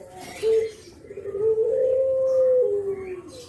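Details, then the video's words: A spotted dove, used as a lure call for doves, gives a short low coo, then a long drawn-out mellow coo that swells slightly and sinks at the end, over faint background hiss. "KICAU KUK GERUK BURUNG JAWA BRENGGOLO"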